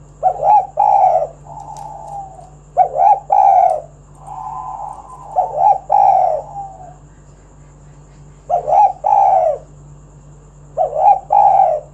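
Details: Spotted dove singing energetically, recorded to lure other doves into song: low, husky coo phrases of two or three stressed notes with softer drawn-out notes between, repeated every few seconds over a steady low hum.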